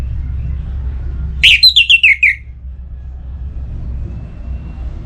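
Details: Breeding-condition orange-headed thrush, caged, singing at a rival: a single quick phrase opening with a rising note, then a descending ladder of six clipped whistles, followed by quiet low hum.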